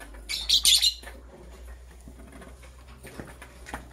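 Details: Green and blue lovebirds preparing for egg laying: one loud burst of rapid screechy high chirps in the first second, then only faint rustling and soft clicks.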